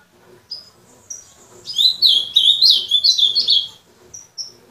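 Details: Soft high whistled notes build into an energetic azulão warble, a fast run of sweet, sharply rising and falling notes, then fade back to two or three thin whistles.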